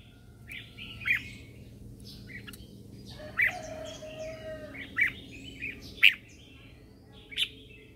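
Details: Red-whiskered bulbul in morning song, used as a lure to call wild birds: sharp chirps spaced about a second or more apart, with faint warbles between them, a soft low whistle and a steady background hum.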